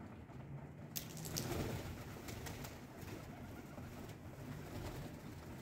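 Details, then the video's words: Low droning pigeon coos at morning feeding time, a humming note repeated around the first and second seconds, set against constant rumbling noise and a few sharp clicks. "Pigeons Breakfast Time"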